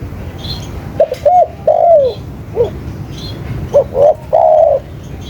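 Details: Spotted dove cooing: a few soft clipped notes followed by a longer arched, slurred coo, the phrase given twice, over a low steady background hum and faint high chirps.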